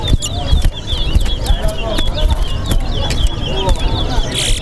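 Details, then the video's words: A chestnut-bellied seed finch (towa towa) at a bird singing competition at Lusignan bird ground sings a fast, continuous run of high, sweet warbled notes, over crowd chatter and low background rumble. "TOWA TOWA BIRD SINGING"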